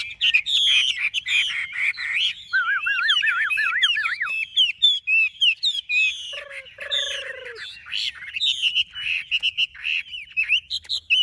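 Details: Chinese hwamei with a large build, a caged bird for sale in Vietnam, delivering dense varied song of sharp whistles, warbled wavy notes and a couple of lower mellow slurs, broken by brief pauses.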